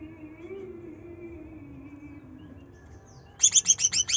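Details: Provoking song of a greater green leafbird in trotol style: after near silence, a sudden quick run of six sharp, high, chattering notes closes the passage.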